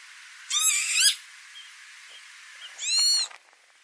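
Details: Northern lapwing calling at tulip fields in Noordwijkerhout, Netherlands, in May 2018: two wheezy, slurred calls about two seconds apart, each a harsh rising-then-falling 'pee-wit' with a buzzy, harmonic-rich tone.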